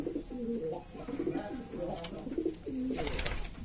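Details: A noisy flock of domestic pigeons from East Lombok, West Nusa Tenggara: quick, stepped coos jumping up and down in pitch, overlapping, followed by a burst of rustling near the end.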